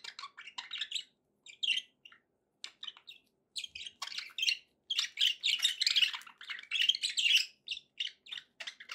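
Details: Continuous budgie chatter from pet birds: overlapping high, buzzy warbles and quick chirps that grow denser and louder midway, typical cheerful flock twittering used to get a parrot eating and singing.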